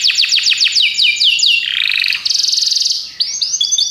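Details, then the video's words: Belgian canary song opening with quick repeated downslurred whistles, sliding into a lower warbling passage, then a high buzzing trill and a closing burst of short rising notes. "Os canários belgas cantam espetacularmente"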